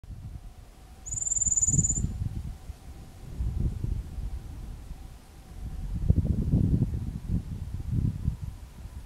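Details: Dusky grasswren near Alice Springs, Australia, 22 August 2012, gives one thin, very high, fast-trilled squeak lasting about a second, nearly lost under heavy rumbling wind.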